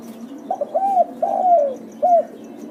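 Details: Spotted dove lure call: a hoarse, mellow phrase of two quick coos, a fuller arched coo, a long falling croon, then a short final coo, with soft lower cooing and light regular ticks behind.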